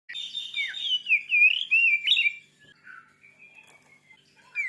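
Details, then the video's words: White-rumped shama song meant to provoke another shama into singing: rich, fast whistled phrases sliding up and down for two seconds, then softer warbling notes trailing off and a final rising whistle. "Suara burung kacer terganas.sangat ampuh cepat bikin emosi Kacer anda.!"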